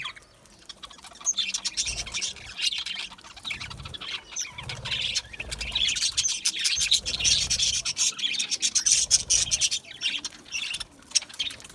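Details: Aviary budgerigars, small colourful Australian parrots, chattering in a flock: rapid high chirps and warbling notes, rising in intensity toward the end, with low rustling beneath.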